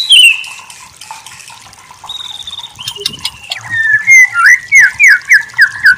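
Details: White-rumped shama (murai batu) masteran song: quiet, drawn-out whistles and faint clicks at first, building into a loud series of about eight clear slurred whistle notes repeated roughly twice a second.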